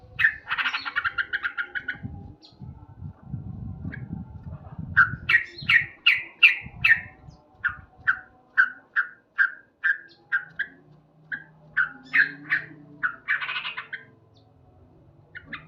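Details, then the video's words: Male sooty-headed bulbul singing loudly in the morning: a long series of short, sharp chirped notes repeated about twice a second, with low rumbling noise in the first seconds and a brief harsher burst near the end. "Terapi Burung Trucuk Gacor"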